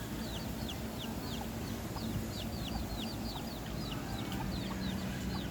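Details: Red junglefowl calling: many short, high-pitched peeps, each sliding downward, come in quick irregular succession above a constant low hum.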